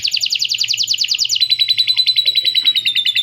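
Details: Domestic canary delivering rapid, pulsing trills with lovebird-style chatter mixed in, the notes repeated several times a second and shifting to a brighter, thinner rolling phrase halfway.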